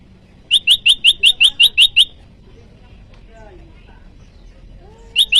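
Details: A rival-challenging call from a Bar-winged prinia, recorded to attract wild birds and tutor cage birds: nine crisp, high, evenly spaced chirps in quick succession, then near-quiet with faint background sounds before the calling resumes.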